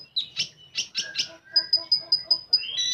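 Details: Common iora song in full tembakan style, opening with rough chattering bursts, then a steady run of clear high piping notes about every fifth of a second, ending in a rising whistle.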